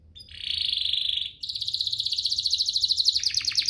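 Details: Canary song played as a bait to get other canaries singing: a smooth warbling trill rising in strength, then a fast pulsing rolled trill that drops into quick downward sweeps.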